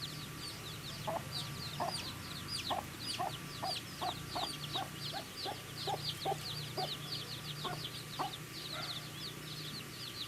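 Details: Feeding baby chicks keep up a constant chatter of thin, high, falling peeps, while crisp tapping pecks sound roughly every half second beneath the chorus, over a low background hum.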